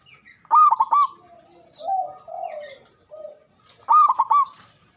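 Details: Javanese local zebra dove, kept as a cage bird, giving a loud song with long breath: a bright burst of rapid stuttering coos near the start, softer lower cooing between, then the stuttering burst repeated about three seconds later.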